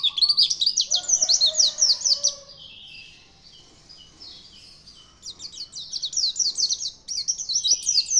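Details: Vigorous white-eye song in two bursts of rapid, high, zigzagging chirps, loud and jumbled, separated by a quieter gap of a few seconds with soft lower notes.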